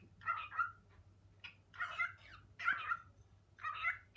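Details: Male pet cockatiel in a home kitchen calling his mate to come, though she is already beside him; four bursts of scratchy, speech-like syllables with short pauses between, low room hum behind.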